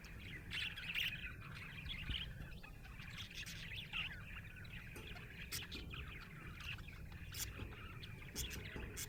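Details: Soft, more distant chirping from a happy budgerigar, a quiet continuous warble of short notes beneath a steady low rumbling background.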